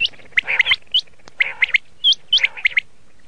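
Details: Red shade common quail: clusters of short buzzy notes alternate with clear upward-flicking whistles, separated by brief silences.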